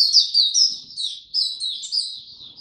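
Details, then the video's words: Oriental white-eye in captivity, 25 January 2022, singing after sleeping late: bright, very high twittering with rapid downslurred notes strung closely together, loud and clear against a quiet background. "Mata Puteh Hercules V2 buka tiong aw sing slept late last night"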